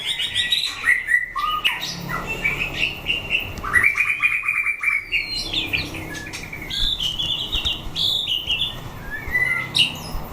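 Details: Captive white-rumped shama tested for fighting, singing a long varied phrase: trilled rising whistles, rapid repeated notes, and scattered high chirps, with clicks and a low background hum.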